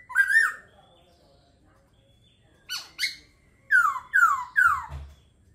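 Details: Laughingthrush singing: a rich, slurred opening phrase, a pause, a pair of harsh buzzy notes, then three loud, clear, descending whistled notes in quick succession.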